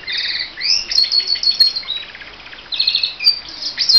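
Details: Pet canary singing in the morning: loud continuous high song of rolling trills, rapid repeated chirps and sharp whistled notes, with a short softer gap before another trill.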